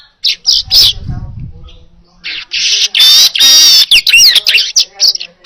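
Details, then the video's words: Vigorous baya weaver song for training other birds: scattered buzzy chirps, a brief lull, then a dense stretch of sizzling rattles broken by high looping whistles. "Masteran Suara Burung Manyar Gacor Jernih"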